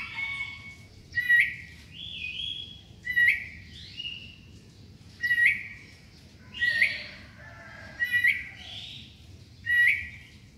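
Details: Sooty-headed bulbul in full morning song, described as melodious. Short liquid phrases repeat roughly every two seconds, mixing clipped notes with slurred whistles, against a quiet background.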